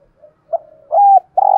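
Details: Spotted dove decoy in the "giọng thổ" voice style, kept to provoke wild doves into cooing: faint short murmurs build to a loud, steady, low coo, followed by another strong coo that breaks off abruptly.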